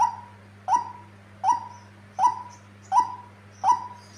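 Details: Female white-breasted waterhen, a tame, very vocal bird: six clipped falling notes, evenly spaced at about 0.7-second intervals, with a steady low hum behind.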